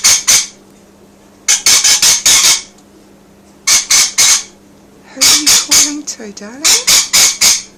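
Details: Pet rainbow lorikeet, indoors and happy while being filmed as its owner plays its music machine and it dances, gives harsh, shrill screeches in quick bursts of three to five notes, with a brief low voice-like sound over a steady indoor hum.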